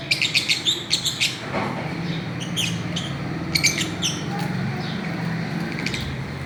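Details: Several Fischer's lovebirds playing on a swing, giving a quick burst of high, sharp chirps in the first second, then scattered bright chirps later over a steady low hum.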